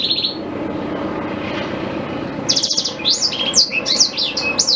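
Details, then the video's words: Black-throated canary singing as a model for a white-rumped shama: a brief high trill, a pause filled with low rumbling background noise, then a rapid burst of buzzy trills and sharp slurred notes. "Suara Asli Blackthroat Pas Buat Guru Murai Batu"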